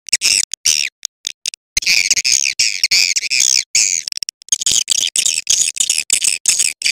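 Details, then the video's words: Swiftlet calling sound, a clear call meant to compete in a crowded swiftlet house: dense, high, buzzy chattering chirps in rapid bursts, cut by abrupt short silences throughout. "Suara panggil burung walet jernih bisa bersaing di rbw padat"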